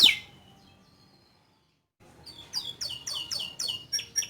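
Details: Domestic canary in full, chatty song, a long 'cuit cuit teerrrr' phrase: one sharp high note, a two-second pause, then a fast run of bright, high chirps repeated about five times a second, each slightly descending.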